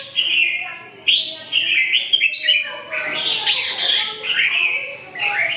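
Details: Red-whiskered bulbul singing: a run of short, bright warbled phrases with quick rising and falling whistles, delivered in bursts about every half second, with a denser, louder tangle of notes in the middle.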